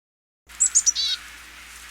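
A Black-capped Chickadee gives three quick, thin, very high notes followed by a lower, buzzy 'dee', all within about a second.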